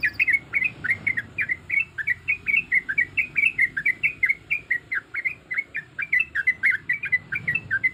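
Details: Rapid, even chirping from a yellow-vented bulbul female in breeding condition calling males. Sharp, bending notes repeat several times a second for the full eight seconds.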